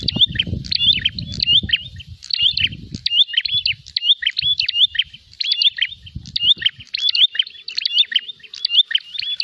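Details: A prinia seeking a rival to fight sings rapid bursts of sharp high chirps and short whistles, phrases repeated steadily, with low rumbling noise early in the recording.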